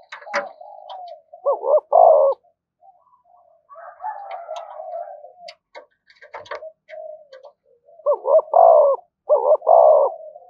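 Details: Spotted dove acting as a fighting decoy: low three-part coos, two brief notes and a longer falling one, among softer murmured cooing, with sharp clicks and knocks scattered through.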